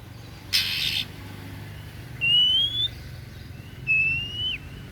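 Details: After a brief loud noise burst, an oriental magpie-robin (kacer daput) delivers two smooth whistled notes, the first rising, the second level then dipping at its end.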